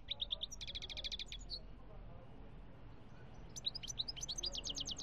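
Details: European goldfinch song from Algeria, 2017: rapid high twittering phrases of repeated sharp chirps, two bursts separated by a quieter pause, over low background rumble.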